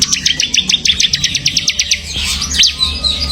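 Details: Semi gacor song of a bar-winged prinia (ciblek): a rapid even trill of high repeated chips, then a couple of slurred falling notes and soft twittering.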